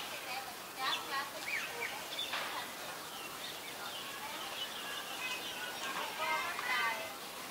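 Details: A Common Myna (Acridotheres tristis) in Ubon Ratchathani, Thailand, on 26 February 2022 gives a jumble of harsh chatters, gurgles and short whistled notes in scattered bursts, over steady background hiss and possibly faint voices.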